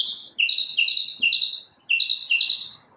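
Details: One unknown bird singing in the morning, its varied sounds all from the same individual: short two-part whistles stepping down then up, repeated in quick clusters, a pause, then two more.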